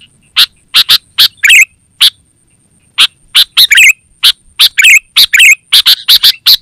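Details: Sooty-headed bulbul chatter used as a lure in forest and a model for caged birds: scattered crisp chip notes, a pause, then busier bursts of chips and rich bubbling warbles toward the end, with a thin continuous whine.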